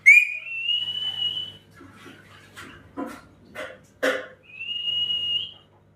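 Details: Talking parrot: a long, clear whistle rising then holding steady, then a run of short speech-like syllables, then another sustained level whistle.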